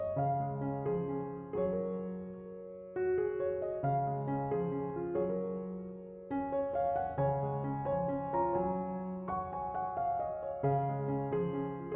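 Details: Only soft piano music is heard, with sustained chords and gentle repeated notes and no animal calls.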